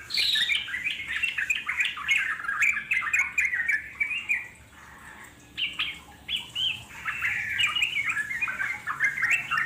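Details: Wild Yellow-vented Bulbul in natural surroundings singing a long ngeropel chatter: dense, bubbly, warbled phrases sliding up and down, with a brief pause near the middle before the busy chattering resumes.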